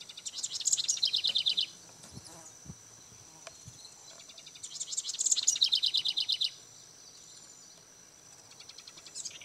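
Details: House wren singing at Bombay Hook National Wildlife Refuge, Smyrna, Delaware; two bubbling bursts of rapid trilled notes, each lasting over a second, with a faint start of a third, plus a steady high insect-like tone.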